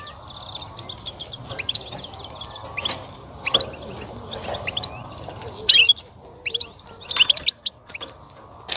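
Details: European goldfinch song used to stir a female to mate and breed: continuous fine, buzzy twittering studded with sharp bright chirps, a louder chattering burst near the end, over a steady low background hum.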